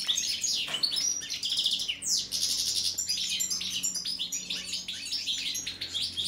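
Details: European goldfinch of subspecies balcanica during a song check: dense, bubbling twitters mixed with buzzy rattles and a rasping burst near the two-second mark, high and continuous.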